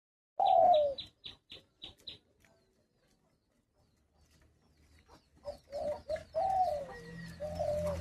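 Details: Caged Spotted Dove kept as a hunting decoy, giving its agitated jhumur call: one husky descending coo, then a run of sharp clicks and rustles, then several more downslurred coos close together.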